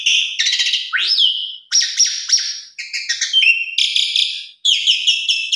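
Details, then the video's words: Asian pied starling (jalak suren) in busy, varied song: harsh buzzy chatter mixed with clear whistles and a quick rising note, in brisk phrases with short pauses. "Jalak Suren 100% Gacor"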